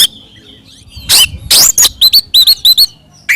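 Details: Oriental magpie-robin in full, loud fighting song, used to provoke other magpie-robins: harsh broadband bursts followed by a rapid run of short, hooked whistles near the same pitch, about three per second, ending in a rising note.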